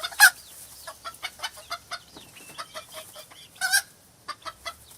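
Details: Hens in a chicken-farm henhouse giving short, clipped clucks spaced irregularly, roughly two or three a second, with a couple of louder, sharper squawks breaking through.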